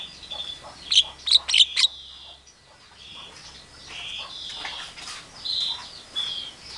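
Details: Javan myna copying a chicken calling its chicks, an Asian pied starling and a hungry civet; a quick run of sharp clicking notes, then softer drawn-out whistles and wheezy phrases.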